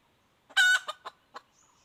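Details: Wild hen of red junglefowl calling: one loud harsh drawn note followed by three short clipped clucks, over a quiet background.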